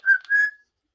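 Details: Talkative Amazon parrot giving a short two-part vocalization, a clear tonal whistle-like syllable followed by a slightly lower, steadier one, lasting about half a second with no other sounds.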